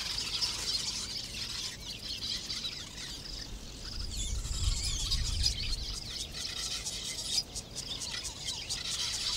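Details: Busy breeding colony of lesser masked weavers nesting in thorn acacias, many birds giving high, twittering, sizzling chatter nonstop, with a brief low rumble of wind or handling midway.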